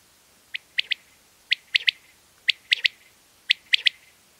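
A quail gives sharp, high three-note calls, repeated about once a second in a steady whip-whip-whip rhythm over quiet background.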